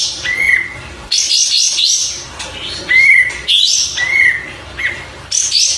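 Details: Oriental white-eye song played as a tutor recording: quick, thin, high twittering bursts alternating with short steady whistled notes, repeated several times with brief pauses between.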